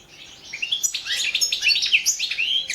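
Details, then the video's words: Goldfinch of the Balkan form singing in an internet song championship: varied tinkling twitters and short slurred whistles rising in loudness, lively and irregular. "World championship in Goldfinch Song 2017"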